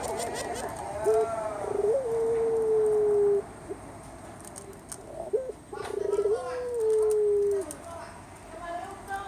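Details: Puter (Barbary dove), described as a legendary Javanese bird, cooing: short introductory notes lead into a long, steady, low, slightly falling coo, and the phrase comes twice about four seconds apart over a soft background hiss.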